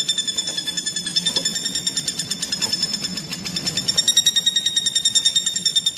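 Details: Common flameback woodpecker, used as a training call for songbirds: an even, fast series of high, bright notes, about three per second, swelling louder toward the end over faint low noise.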